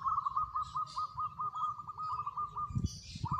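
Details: Song of a local zebra dove: one long, even, rapidly pulsed cooing trill at steady pitch, then a new phrase starting, over low rumbling background noise.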